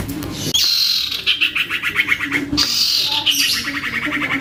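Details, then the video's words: Captive juvenile common iora singing vigorously as a lure for other irioras. Each phrase starts with a high whistle and drops into a quick, descending, rattling trill. The pattern repeats twice with a brief gap between phrases. "Anakan Cipoh Atau Sirtu Gacor Abis !!! MENTAL TEMPUR!!! ( PANCINGAN CIPOH AMPUH )"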